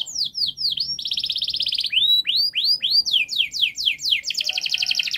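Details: Long, quick canary song intended to train young canaries: downslurred notes, a buzzy sustained trill, a series of upswept whistles about four per second, then sweeping notes and a final rapid rattling trill.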